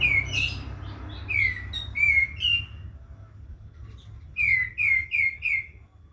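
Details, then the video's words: Lively prinia singing with clear, ringing whistles that sweep downward, delivered in quick groups of three or four notes with a gap between groups; quiet low hum behind. "Katem gacor besetan di ahir"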